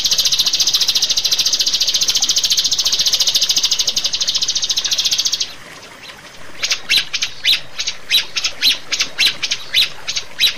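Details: Rio-rio bird song, used to train caged birds: a sustained, rapid, buzzy high trill ends abruptly, then after a short silence come separate sharp, high chip notes repeated irregularly about twice a second.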